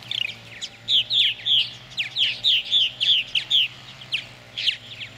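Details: At a gourd nest near Lacombe, Alberta, Canada, in 2017, a purple martin pair feeds chicks; harsh squeaky chirps come in quick bursts about three or four each second, over faint mechanical hum.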